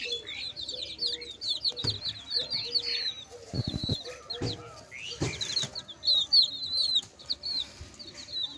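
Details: Chicks keep up a busy stream of shrill, short peeps, each dropping in pitch, with soft low notes beneath and a few sharp clattering knocks partway through.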